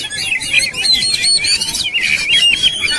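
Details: Agitated Oriental magpie-robin ready to fight, giving a dense, blurred stream of high warbled whistles and chattering notes with no clear break.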